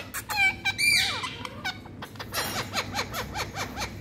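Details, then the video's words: Ringneck parakeet kept in India: two loud, ringing squawks open the clip, followed by a quick run of short, repeated chirping notes, some sliding downward, over a faint background hum. "Ringneck🌶All Innocent🌷Talking"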